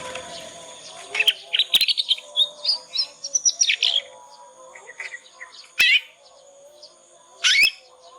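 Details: Young Yorkshire canary learning the ngriwik sound, played as a lure so other canaries answer and learn fast. A rapid twittering warble of varied high notes runs for about three seconds, then two separate rising chirps, with sharp clicks.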